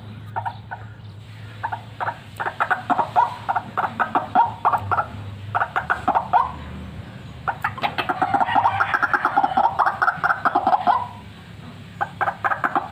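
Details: Actively calling white-breasted waterhen, a fighter used for luring: rasping croaks start sparse, build into a fast rhythmic sequence, swell in a louder, denser chorus-like passage, then fade at the end.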